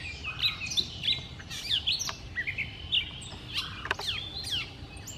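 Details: Gray catbird in Lucas County, Ohio, on May 17, 2018, singing a rambling, unbroken run of squeaky, slurred and whistled notes, each phrase different from the last, over a faint low background hum.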